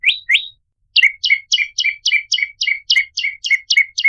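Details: Prinia lure song (prenjak lumut): two rising whistled notes, a brief silence, then an insistent string of crisp descending chirps at about four per second.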